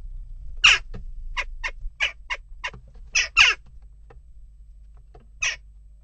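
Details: Amid continuing unrest at a nest box, western jackdaws utter a string of short, hoarse chak notes at irregular intervals, two louder calls standing out near the middle, with a steady low hum behind.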